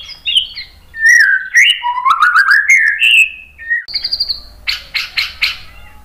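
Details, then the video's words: White-rumped shama song used to provoke other birds into singing: varied whistled phrases sliding and rising, a long steady high whistle, then a burst of harsh buzzy rasping notes. "SUARA MURAI BATU Untuk Memancing EMOSI jadi NYAUT GACOR"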